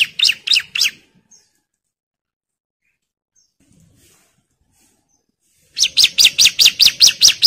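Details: Bar-winged prinia, agitated and calling out a rival: a short burst of four sharp, high chirps, then about five seconds of near silence, then a fresh run of quick, evenly spaced chirps.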